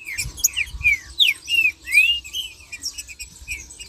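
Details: Green-winged saltator song for stimulating other saltators: quick, sweet whistled phrases, several arching or falling notes packed into the first two and a half seconds, fading into soft chatter, with faint low knocks.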